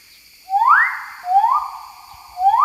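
Magnificent riflebird giving three loud, clear whistles, each sweeping steeply upward then levelling off, spaced about a second apart against a quiet background.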